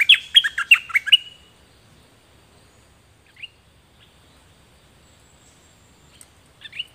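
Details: Song of the Thai 'nok dok taeng', one of two birds recorded in 2020 to train young birds to sing: a fast burst of bright, slurred chirps in the first second and a half, then near silence with a few faint high notes.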